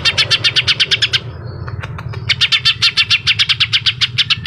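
A greater green leafbird sings rapid, sharp chattering notes, about ten a second, in two bursts with a brief pause between. A low indoor hum sits underneath.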